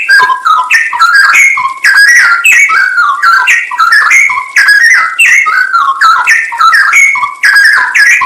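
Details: Straw-headed bulbul (cucak rowo) in a full isian nembak masteran recording for training songbirds: rapid, fluid whistled phrases with rising and falling slurs, about 22 phrase groups a minute, continuous and loud.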